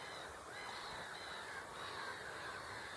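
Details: Great crested grebes, several birds on the Hubertus 2 pond in Katowice, 26 March 2021: harsh, nasal, harmonic croaking calls repeated through the clip over steady broadband background noise.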